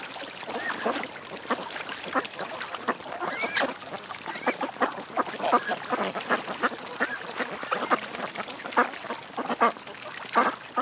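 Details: A flock of ducks at a creek giving a continuous mix of short nasal quacks and softer chattering notes, some rising and falling, overlapping throughout against a faint hiss.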